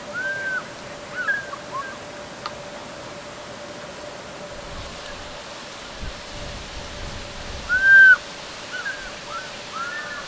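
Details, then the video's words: Distant African fish eagle calls on a hot March 2019 afternoon: faint, ringing, arched yelps in short bursts, loudest near the end, over a steady high insect drone. "Fish Eagle Calls"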